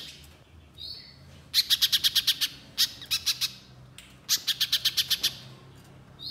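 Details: Energetic little spiderhunter song in bursts of five to seven sharp, ringing ticks, each burst separated by brief gaps, with a short high whistle at the start.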